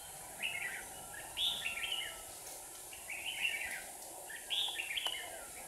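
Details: A decoy red-whiskered bulbul sings from a trap in Hòa Bình to attract a wild rival; bright chattering phrases with high whistled peaks repeat about every second, over a constant hiss.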